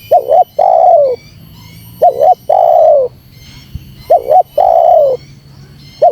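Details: Spotted dove calling to lure and provoke wild doves: a quick doubled coo, then a long, mellow, slightly falling coo. The phrase repeats about every two seconds, over a steady high electronic whine and faint low rumble.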